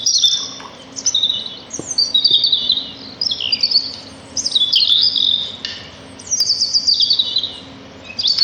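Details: Sparrows in nature call in short phrases of sliding, downward high notes and squeaky chirps, repeated roughly every one to two seconds. A faint low hum and a few clicks are also present.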